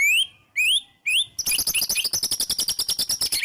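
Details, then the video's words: White-rumped shama in full, emotional song used as a lure to make other shamas sing: three loud rising whistles, then a rapid rattling run of sharp high repeated notes. "murai batu gacor EMOSI NGEPLONG full isian TEMBAKAN jitu jadikan pancingan murai batu agar bunyi"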